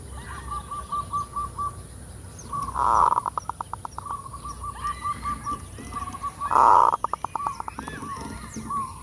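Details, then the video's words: Zebra dove lure song in full kerot style: rows of soft evenly spaced cooing notes, broken twice by a loud harsh burst that breaks into rapid stuttering pulses before the gentle cooing resumes. "Pikat perkutut FULL KEROT"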